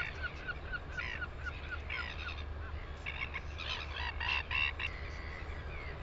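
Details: A Northern royal albatross in New Zealand, 9 September 2020, opens with a rapid series of short repeated notes, about four each second. Louder harsh, harmonic bursts follow, with wind heard throughout.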